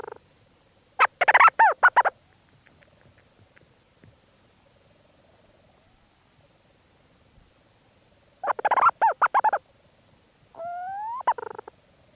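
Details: Leach's storm petrel calling from a burrow at St Lazar, recorded close: two bursts of rapid chattering notes separated by quiet stretches with faint movement sounds, then a drawn-out, slightly rising purring tone.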